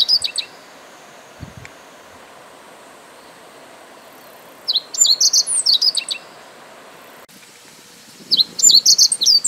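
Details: Meadow bunting repeating its song from an upright singing posture: short high twittered phrases, a brief one at the start, then two full phrases about four seconds apart, each a quick run of bright chirps.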